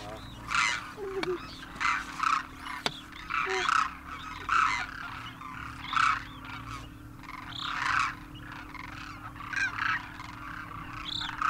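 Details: Large wintering flock of wild Demoiselle Cranes, juveniles with adult parents, at Khichan Village, Rajasthan, India, after crossing the Himalaya; repeated bursts of loud rolling trumpeting calls about every second, rising and falling in waves, over a steady low hum.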